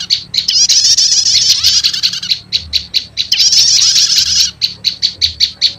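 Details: Prenjak lumut with prenjak setater lure for catching wild prenjak lumut: two long high rattling trills, each followed by a row of sharp, regularly spaced chirps.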